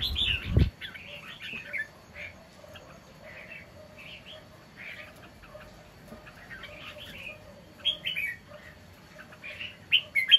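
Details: Caged, wild-caught red-whiskered bulbul singing loudly on 10 August 2023: short bright warbled phrases repeated every second or so, growing louder toward the end, after a brief thump at the start.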